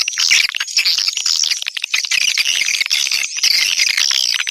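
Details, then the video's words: Shrill squeaking chatter of a swiftlet lure call, played to attract swiftlets, dense and continuous with short scratchy trills and a thin sustained tone overhead. "Suara burung walet panggil"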